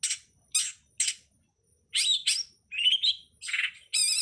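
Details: Long-tailed shrike, called cowet, codet or pentet locally, on a master recording for teaching songbirds. Three harsh rasping notes, a pause, then varied twisting whistles and buzzy, rattling phrases in quick succession.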